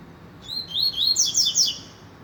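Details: Rusty-collared seedeater singing a clear, loud phrase: rising whistled notes that speed up into a dense, bright trill of rapid high chirps, all within about a second and a half.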